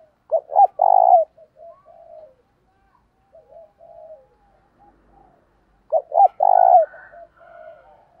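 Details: Spotted dove calling to excite decoy birds: two loud phrases about five seconds apart, each of two or three clipped notes and a long rolled coo, followed by softer trailing coos.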